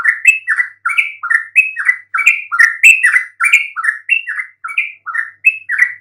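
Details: Yellow-vented bulbul song meant to provoke silent bulbuls into replying: a continuous, lively string of liquid, gurgling notes in short two- and three-note phrases, rising and falling, with faint high ticks above.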